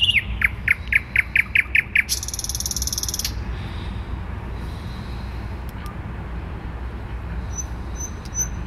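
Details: Thrush nightingale singing in central Warsaw on 12 May 2020: a quick series of about eight sharp repeated notes, then a dry buzzy rattle, followed by quiet with steady low city traffic rumble and faint distant chirps.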